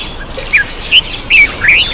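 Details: Black-eyed bulbul calling while taking a bath: short bright chirps and slurred whistled notes, rising and falling, in quick irregular bursts over a faint background hiss.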